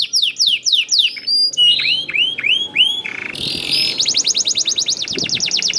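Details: Young canary singing a prompt song to get other canaries singing: rapid downslurred whistles, then curved rising notes, a harsh buzzy burst and a fast rattling trill to finish.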